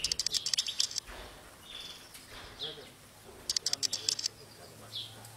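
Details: A flock of European goldfinches feeding on golden thistle in an aviary in Tunisia gives two bursts of rapid, tinkling, high twittering notes, with a few softer calls between them against faint background noise.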